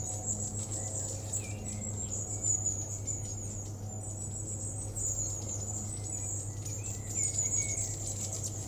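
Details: A flock of long-tailed tits in Totteridge Valley on 17 June 2017 gives very high, thin, overlapping calls, a near-continuous faint trill with brief lower notes, over a steady low hum.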